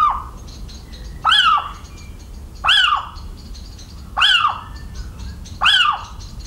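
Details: A Little owl in the central French countryside on 17 March 2019 gives four sharp, arching yelps, roughly one every 1.4 seconds. A soft, rapid pulsing from another creature runs underneath.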